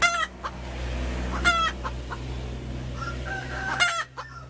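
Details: A female chicken gives three strident, nasal squawks spread over about four seconds, with soft clucks between them and a steady low rumble underneath.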